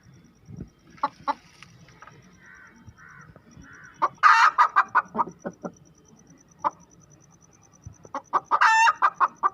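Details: Laying hen cackling after her egg: scattered clucks build to a loud harsh squawk followed by rapid clucks, a pause, then another stretched squawk among clucking.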